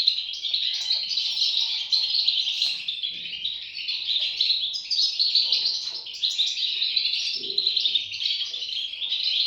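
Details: Young European goldfinches producing a constant, busy chorus of high, buzzy chirps throughout, the overlapping calls of several chicks blending into one chatter.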